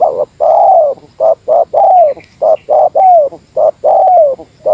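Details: Spotted dove of the Meratus type, a lure bird calling against a rival; loud, repeated coos around a low hoarse pitch, short notes alternating with longer drawn, slightly falling phrases in an uneven rhythm, with a faint high hiss behind.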